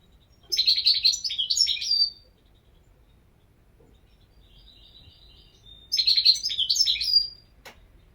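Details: European goldfinch giving two long phrases of rapid, tinkling twitters, about a second and a half each and several seconds apart. Faint thin notes fall in the gap, and a single click comes near the end.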